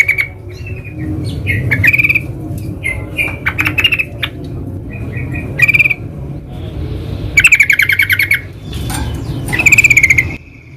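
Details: Sooty-headed bulbul in the wild giving scattered sharp chips and short notes, then louder rattling bursts of fast pulses near the end, over a low background rumble.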